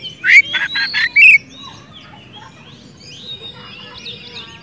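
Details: White-rumped shama, a lively singing bird used as a lure to call a rival and prompt a silent bird to sing: a burst of sharp chips and a high rising whistle, then soft twittering and faint distant notes.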